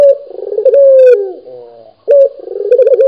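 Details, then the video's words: Local dove calling actively. A steady low coo breaks into a throaty rolling warble, then slides down and fades. After a short gap a fresh bright coo starts the pattern again. "SUARA BURUNG PUTER GACOR | BURUNG PUTER LOKAL GACOR"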